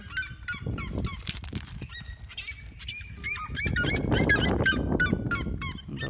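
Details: Red-legged seriema calling outdoors, heard beside an aquaponics setup: a series of loud, sharp yelping notes repeated about three times a second over steady background noise.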